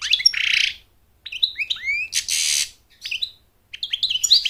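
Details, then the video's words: American goldfinch song, sung to attract a mate and to teach chicks to sing: a harsh buzzy burst, sweeping rising chirps, another long buzz, then quick high twitters after short silences. "Goldfinch sings to mate Goldfinch sings to train chicks to sing"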